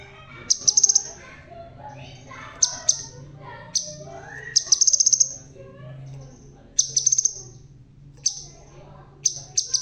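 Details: A bald crimson sunbird singing vigorously: sharp, very high metallic chips in pairs and short trills, separated by pauses of one to two seconds, over faint low background hum.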